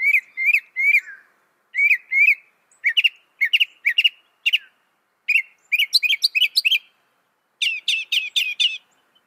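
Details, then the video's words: A northern mockingbird that can reportedly copy 200 sounds, repeating short bright chirped phrases two or three times each before switching, in a steady series that ends with a fast run of five similar high notes. "Masteran suara burung NORTHERN MOCKINGBIRE bisa merekam 200 suara"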